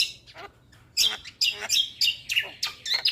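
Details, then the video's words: Caged-starling stimulation song: loud, scratchy chirps with bright squeaky accents, delivered in quick uneven bursts, about three to four per second. "Terapi Semua Jenis Burung Jalak Sekali Putar Jalak Macet Bunyi Seketika Nyaut"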